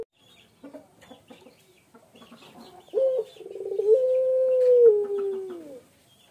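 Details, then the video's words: Male puter pelung, a Barbary dove prized for its long, sad-sounding call: after soft scattered chirps from other birds, a rolling stutter swells into one long, drawn-out coo, held nearly level for two seconds and then fading downward. "ANGGUKAN PUTER PELUNG JANTAN GACOR SUARA MENYEDIHKAN"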